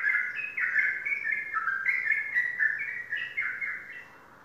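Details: Prize-winning captive Sooty-headed bulbul from Indonesian songbird contests delivers a rapid, dense run of bright warbled whistles, phrases tumbling quickly between higher and lower notes before fading at the close.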